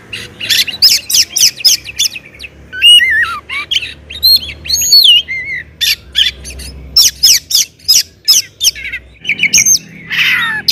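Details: Oriental magpie-robin loud provoking song: repeated harsh scratchy bursts interleaved with curling whistled phrases, steady rhythmic delivery over a faint low hum.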